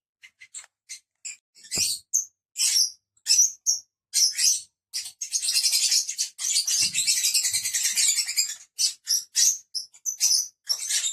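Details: Five pet lovebirds start with scattered, thin, high squeaks, then break into a sustained burst of harsh, buzzy chatter lasting about three seconds before returning to separate shrill chirps.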